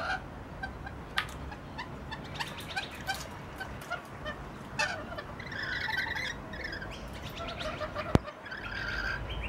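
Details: Rainbow lorikeets in Lindfield give scratchy, screechy chatter in short bursts with sharp clicks, and some harsher buzzy notes toward the end, over a steady low background rumble.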